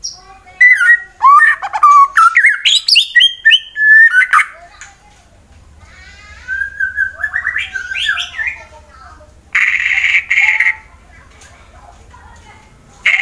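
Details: White-rumped shama, Wonosobo, Central Java, Indonesia, singing to provoke rival birds: loud varied whistled phrases with trills and sweeps, a quiet gap, another rising warbled phrase, then a harsh buzzy burst and a final note.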